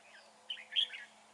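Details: Short burst from a red-whiskered bulbul held in a fighting trap on a dark, cloudy day: a quick pair of bright, slurred chirping notes.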